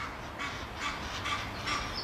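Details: Egyptian goose, an exotic in the Netherlands that probably escaped from waterfowl collections, calling in park Oudegein, Nieuwegein, around 6 June 2020. It gives harsh, raspy honks, about two a second in a steady series, over a low background rumble.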